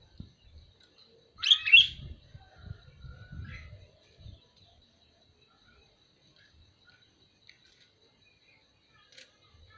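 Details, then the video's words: A single sooty-headed bulbul call: one quick, liquid whistled phrase of a few bubbly notes, followed by a faint softer note and then near silence. "Suara burung kutilang memanggil"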